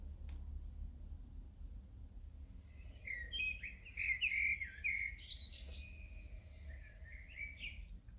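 A blackbird sings rich, fluty warbled phrases that end in thin, squeaky twitters, with a steady low rumble underneath.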